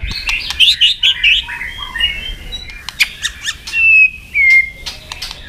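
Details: White-rumped shama fighting song, meant to provoke other shamas: a jumble of short chirps and squawky notes, then two long, clear, level whistles near the end, with scattered clicks.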